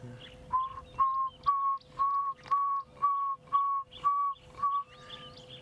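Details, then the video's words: Pearl-spotted Owlet calling in the distance during a hot morning safari drive on 3 December 2016: a series of about nine clear, mid-pitched whistled notes, roughly two per second, over a steady low hum. "That's the pearl spotted owl. the start of the pearl spotted owl call."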